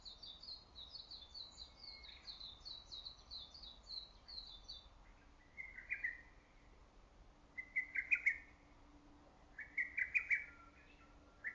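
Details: In early-summer greenery a lesser cuckoo gives three short, quick-pulsed phrases spaced about two seconds apart, preceded by a thin, high, rapid series from another bird.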